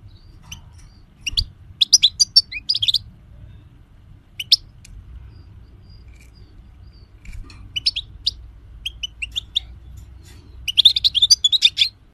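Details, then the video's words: European goldfinch singing in bursts of rapid, high twittering and tinkling notes, liquid trills and quick chirps separated by short pauses, with a fuller jumbled phrase at the end; faint low hum beneath. "Gold Finch singing 2020|Carduelis carduelis"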